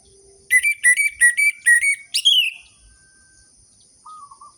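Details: Orange-headed thrush song as a lure for captive birds: about six repeated whistled notes, then a sweeping slurred flourish. A faint thin tone follows at the end.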